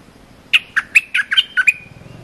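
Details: Short training song of a cream-vented bulbul, meant for teaching young birds: a quick burst of seven clipped, warbling chirps at mid-high pitch, followed by a soft low murmur.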